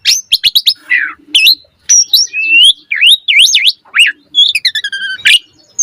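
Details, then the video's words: Asian pied starling giving a richly varied song meant as a master recording for training birds: quick clicks, wavering zigzag whistles rising and falling, sharp squeaks and a stacked downward slur, with short pauses between phrases. "Pancingan Jalak Suren Gacor Cepat MOMPA Full Variasi - Masteran Burung Jalak Agar Gacor Isian Mewah"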